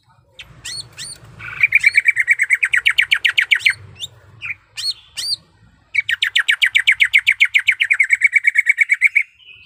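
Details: Female greater green leafbird in heat calling the male: two long, fast trills of buzzy downslurred chirps separated by a few whistled upslurs, over a low background hum.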